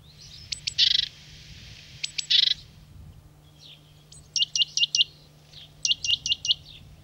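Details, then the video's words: Great tit recorded in France: high thin notes running into two harsh buzzy rattles, then two groups of short clipped ticking notes, four to five each, over a low background hum. "Mésange charbonnière - Great Tit - Kohmeise ( Parus major )"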